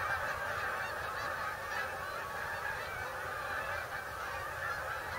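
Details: Migrating geese flying in to Bombay Hook National Wildlife Refuge on the eastern shore of Delaware, USA, give a dense, continuous chorus of overlapping nasal honks with no pauses. Many birds call at once.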